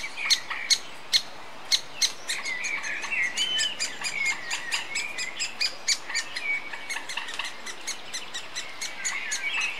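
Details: A female great spotted woodpecker (Dendrocopos major) feeding young on 3 June 2013 in Westfalenpark Dortmund, Germany; the young give a steady, buzzy chatter punctuated by sharp clicking notes about every half second.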